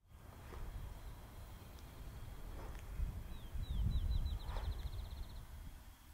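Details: Northern flicker at Suffield WMA on 16 April 2024 gives a few high slurred notes that speed into a quick even run lasting about two seconds, over steady low wind and traffic rumble.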